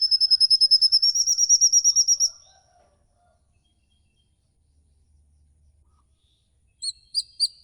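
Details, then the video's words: High-pitched 'ngikik' call from a songbird lure recording: a steady trill of about fifteen rapid, evenly spaced notes rising slightly in pitch, then silence, then a few separate sharp notes. "burung ngikik panjang"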